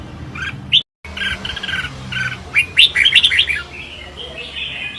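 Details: Red-whiskered bulbul engaged in competitive song: soft chattering at first, then a brighter burst of quick, liquid whistled notes after a brief dropout.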